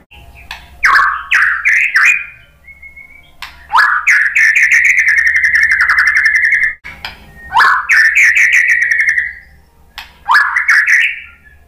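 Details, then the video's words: Murai batu, the white-rumped shama, singing to provoke other birds to answer: rich, loud phrases, each opening with sharp clicks and rising whistles, then a long sustained warbling trill lasting up to three seconds, repeated four times. "SUARA MURAI BATU biar EMOSI NYAUT jadi GACOR"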